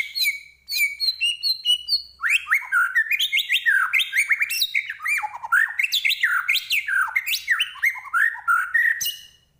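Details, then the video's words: Lively song from a Medan-type white-rumped shama, opening with clear high whistled notes stepping down, then a continuous stream of rich warbling phrases with quick upward and downward slurs. "Murai Batu Medan Gacor Full Isian"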